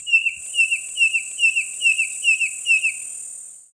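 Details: A male red-crested korhaan (red-crested bustard) in African savannah gives a steady run of clear whistled notes, each bending down then up, about two per second, over a constant high insect hiss.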